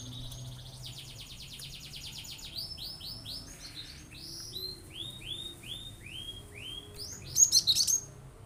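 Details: A cinereous tit, actively singing with 'shooting' phrases meant to provoke rivals to sing: a fast buzzy high series, then slower repeated downslurred whistles, ending in a loud cluster of harsh high chirps.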